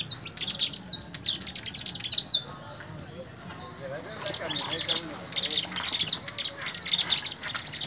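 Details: Canary during fogueo in Pelaya, Cesar: spaced bursts of sharp, high descending notes with softer chatter between, a brief lull mid-way, then more irregular chirps.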